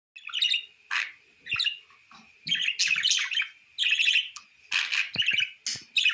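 A budgerigar chatters in quick bursts of scratchy, buzzy chirps and warbles.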